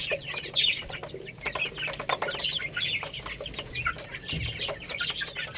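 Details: Lohmann Brown chicks, a young rooster and hen, feeding on rice. Brief high-pitched chirps come at irregular moments over a steady patter of sharp pecking clicks, with a soft low background hum.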